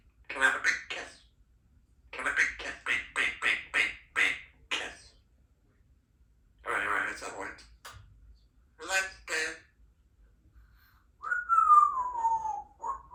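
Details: A 3-year-old female Congo African grey parrot chatters in short, speech-like bursts of mimicked words in a thin, nasal voice, then ends with a clear whistle that slides downward.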